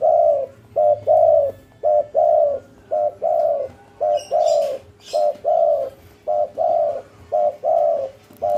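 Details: Spotted dove, local Indonesian bird, in energetic cetrekan-style calling: a steady, regular run of paired coos, a short note then a longer mellow one, repeated about once per second without pause.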